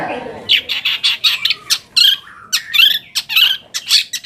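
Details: Long-tailed shrike song to provoke answering shrikes: a rapid series of scratchy chirps and rasps, roughly four per second, with a few sharper squawks near the end.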